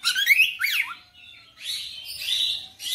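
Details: Oriental magpie-robin giving a few rich whistled slurs and a downward sweep, then softer scratchy notes.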